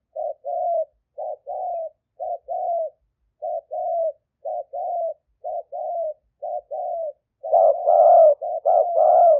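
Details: Live decoy recording of a spotted dove from an aggressive strain, from Roi Et province, Thailand, 2021, made to call wild doves in. Soft hooting coos repeat as short-long pairs about once a second, then grow louder and fuller near the end.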